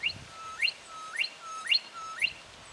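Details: Young brown goshawk calling in Victoria, Australia, in October 2011, giving five repeated notes about half a second apart, each a brief steady whistle bending abruptly upward into a shrill squeal.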